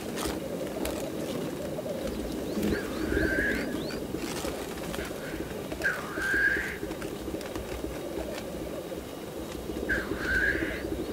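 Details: Black grouse at a lek display: hoarse hissing sneezes at about 3, 6 and 10 seconds rise above a steady, low bubbling murmur that runs through the whole recording.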